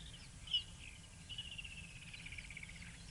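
A Woodland Kingfisher calls faintly from a distance: one sharp high note, then a long, fast, slightly descending trill, over a low background hum.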